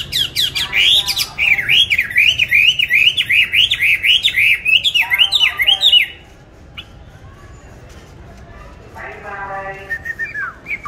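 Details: Caged songbird, kept on steady feed and said to sing anywhere at any hour, bought 19 May 2020, gives six seconds of fast, looping warbled phrases rising and falling, then near silence before a few softer notes and a final slurred whistle.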